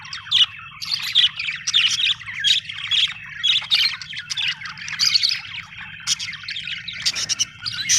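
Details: Budgerigar chirping in a happy mood: rhythmic squawky bursts about twice a second, buzzy and scratchy, with a harsher rasp near the end and a faint background hum.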